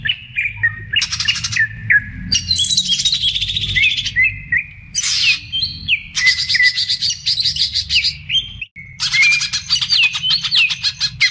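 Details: Bulbul song used as a lure to set cucak-type birds singing: clear, bright whistled phrases alternating with dense buzzy chattering bursts, nearly nonstop and high-pitched, with no other sounds.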